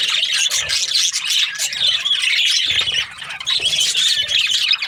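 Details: Parakeets chatter nonstop in high, squeaky chirps and warbles, briefly quieter near three seconds before the busy twittering resumes.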